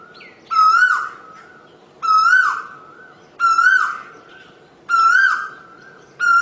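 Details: Asian koel repeating a full, ringing whistled note that rises and falls, each given roughly every one and a half seconds with clear silent gaps between, background otherwise quiet.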